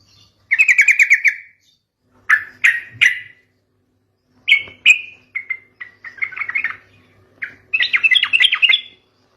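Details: Sooty-headed bulbul song played as a lure to draw other bulbuls into answering: loud bubbly phrases of rapid chirpy notes in separate bursts with short pauses, plus a faint low hum.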